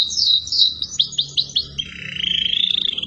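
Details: Canary master song for training other birds: slurred high whistles and a string of quick dropping chirps, followed by a fast even rattle-trill held to the end.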